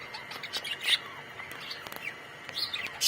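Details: Budgies in a colonial aviary giving quick warbled chirps and short rising and falling notes, clustered in bursts, over a constant thin tone.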